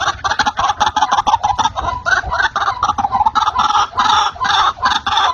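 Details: White-breasted waterhen call used as a trapping lure: a dense, continuous run of rough, croaking notes, fast and overlapping, with a low rumble underneath throughout.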